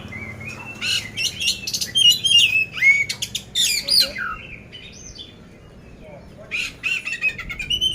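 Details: Caged oriental magpie-robin (poci) in Magelang, Central Java, described as competition-ready with a loud, coarse-fill song: bursts of sharp whistled slurs and harsh rasping notes, a quieter pause midway, then renewed buzzy phrases.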